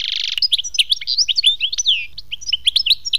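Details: European goldfinch song: a grating buzz leads into quick, liquid twittering, with a long sliding whistle in the middle and bright chirps to the end.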